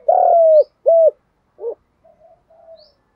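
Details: Spotted dove in giọng đồng voice, calling to prompt newly caught doves: a long loud level coo, a shorter rounded coo, a low soft note, then faint murmuring.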